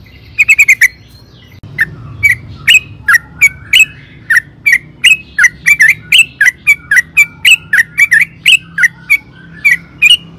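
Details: Sooty-headed bulbul, locally trucukan, in active song to provoke rivals to reply: a brisk opening cluster followed by steady, sharp, bright chirps repeated roughly twice a second, varying slightly in pitch.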